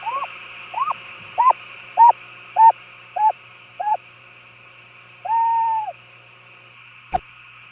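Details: A male scops owl, anxiously guarding the nest entrance deep at night while the female labours to lay an egg, gives seven short, hooked mid-pitched hoots about every half second, then one longer note, over insect hum and a click.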